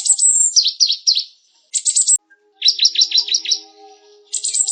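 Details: Cinereous tit, known locally as gelatik batu, singing loud high phrases: rapid descending chirped notes in clusters, a short burst of piercing high trills, then a longer run of quick repeated sweeps after a brief gap.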